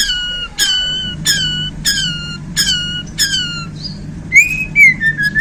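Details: Borneo white-rumped shama, just handled, giving isian phrases: five loud downslurred whistles with bright overtones, about one every 0.65 seconds, then softer wavering whistled notes, with a faint low hum behind.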